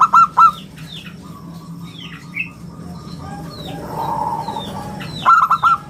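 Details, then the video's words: Local zebra dove in full song with a round, crystal-like tone, used to attract and tutor other birds; short bursts of three quick cooing notes open and close the passage, with scattered high chirps from other birds in between. "perkutut lokal gacor suara istimewa buat pancingan dan masteran"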